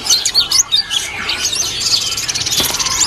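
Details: Caged white-eye at a bird market kiosk gives a high, thin, busy twittering of quick chirps and trills, almost without pause, with other caged birds seemingly chattering nearby.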